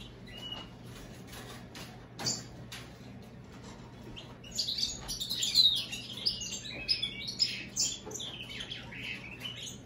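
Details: Hybrid American goldfinch × European greenfinch: a few isolated chirps, then a lively burst of rapid high twittering and buzzy trills in the second half, with a faint steady hum.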